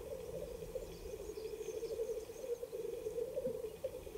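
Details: Black grouse lekking in late April 2020 in spruce-belt mountains of the Ketmen Range, Kazakhstan: a steady, low, bubbling murmur rolls on without a break, with faint hissing and other birds' calls high above.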